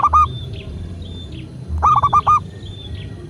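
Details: Local zebra dove from Indonesia cooing, played to coax caged doves into singing. Two rapid stuttering coo phrases of several short mellow notes, about two seconds apart. Thin faint high whistles and a low hum sit behind them.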